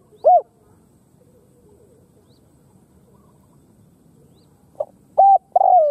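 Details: Khmer spotted dove calling: a single hollow, mellow coo, a long pause, then a short note followed by two drawn-out coos close together at the end; quiet background otherwise.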